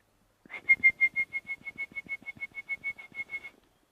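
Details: Dark Chanting Goshawk at sunset in Rietspruit Game Reserve, South African Lowveld, 28 May, about 50 yards away: a fast run of about eighteen clear, even-pitched piping whistles over three seconds, with soft low rumbles beneath.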